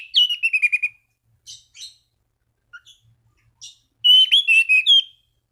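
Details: Orange-banded thrush singing to call rivals and set other thrushes singing: a run of loud clear whistled notes sliding downward, scattered faint high notes, then another rapid whistled phrase rising and falling.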